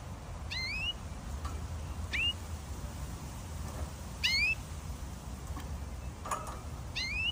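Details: Canary singing: short upswept whistled notes given singly about every second and a half, separated by pauses, over a steady low hum.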